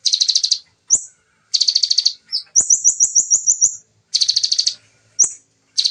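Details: Fast, tight 'nembak' chattering of a bar-winged prinia: buzzy trill bursts and single rising chirps, then a run of about eight rapid high notes, then more rattling bursts.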